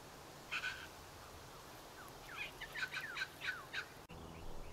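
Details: Australian magpies at Jerrabomberra Wetlands, Canberra, on 26 November 2022; one gives a harsh opening note, then a run of fluty, warbling notes that swoop up and down, over steady background hiss.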